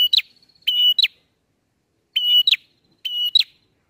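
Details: Bar-winged prinia song in the ngalun style, used as a lure for catching birds: four phrases, each a flat, even whistle followed by two sharp upswept notes, with pauses between phrases and no other sounds.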